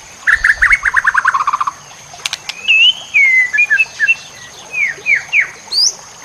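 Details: White-rumped shama masteran, full-fill, meant to train songbirds: opens with a rapid trill of about fourteen descending notes, a few clicks, then looping slurred whistles. A steady high electronic tone is present throughout.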